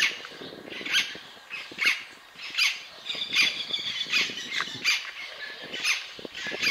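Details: Scarlet-throated tanager (Compsothraupis loricata) in Curvelo, Minas Gerais, Brazil, gives harsh, scratchy squawks, roughly once a second, with a brief thinner whistled note midway; faint rustling background.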